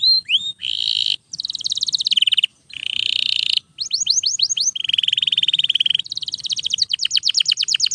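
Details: Canary singing loudly and without pause, a song meant for training other canaries: rapid trills and rolling tours, steep descending whistled notes repeated quickly, and long buzzy rattles, with brief silent gaps between phrases.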